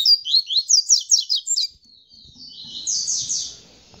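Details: After mating with the female, a double-collared seedeater delivers tamborete song: rapid evenly pulsed high notes for under two seconds, then a smoother buzzy high trill.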